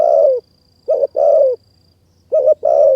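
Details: Close, loud Spotted dove song from a decoy-trapping session in mountain forest, Kanchanaburi, Thailand; long falling coos alternating with short doubled notes in quick succession, with a faint steady high whine behind.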